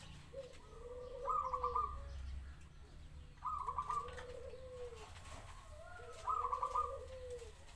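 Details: Zebra dove song: three repeated phrases, each a soft rising-falling coo with a quick stuttering trill above it, spaced about two and a half seconds apart.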